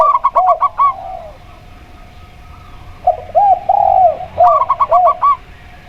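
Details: Local zebra dove (perkutut) with a clear 'plong' voice, paired with a spotted dove. The clip opens and closes with fast bursts of short, higher coos. Lower, slurred coos of the other bird fill the middle, after a quiet gap.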